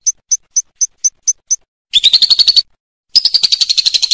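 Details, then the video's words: A lovebird gives seven short, high chirps about four a second, then two bursts of fast, shrill chattering trills rising slightly in pitch, in a song-training recording for other birds set against flowing water. "MASTERAN BURUNG LOVE BIRD TERBAIK / PASTI IKUT NGEKEK"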